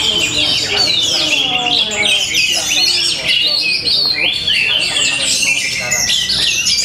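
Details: Song of an Orange-headed thrush in Tabanan, Bali, shown for its rhythm, style and power, packed with fast high notes: sweeping whistles, chattering trills and sharp upward slurs tumbling over one another without a break.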